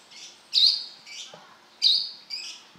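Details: A brown-throated sunbird sings hard, giving a few loud, shrill whistled notes with abrupt starts, softer lower notes between them, and faint low thumps in the background.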